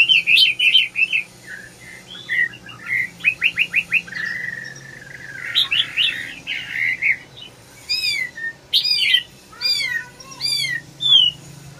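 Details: Red-whiskered bulbul singing at length: cheerful bursts of rapid chirps, a scratchy rasping passage, then clear, sharply sweeping whistles separated by short pauses.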